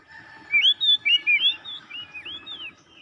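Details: Oriental magpie-robin (kacer) singing vigorously while seeking an opponent: a run of loud, clear whistled upslurred and arching notes in quick succession, then softer lower whistles trailing off, over faint background hiss.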